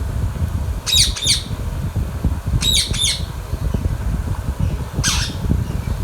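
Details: Baby Indian ringneck parakeet, green pet bird, making harsh paired squawks twice in quick succession, then a single squawk after a pause, over a continuous low droning background.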